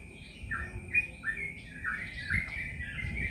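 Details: Yellow-vented bulbul song, faint under steady background hum and a constant high tone: a series of short, bubbly, downward-swooping notes repeated about every half second.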